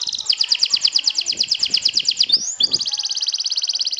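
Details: Champion sobek-style canary trilling to provoke and beat rivals. It gives a fast run of bright high notes, a short upward slur, then a denser, even trill that carries on to the end.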